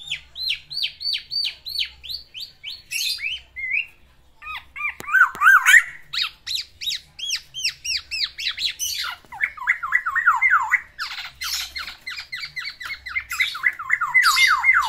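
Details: Male black-naped oriole in a cage, singing to court a female: long runs of repeated slurred whistles, about four per second, shifting pitch between series, broken by harsh squawks and sharp high notes.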